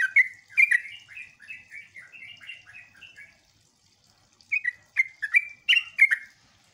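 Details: Sooty-headed bulbul lure song to draw responses from other bulbuls: a softer chain of slurred whistles, a short silence, then louder bubbly whistled phrases.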